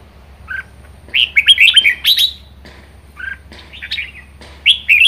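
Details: Red-whiskered bulbul (Pycnonotus jocosus), a kept bird, singing bright, liquid warbled phrases in quick bursts of three to four notes, rising and falling, with a low steady hum underneath.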